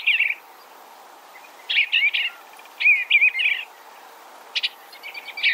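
Soft, warbled phrases around mid-high pitch, given in short bursts of two or three notes with pauses between, over a quiet background.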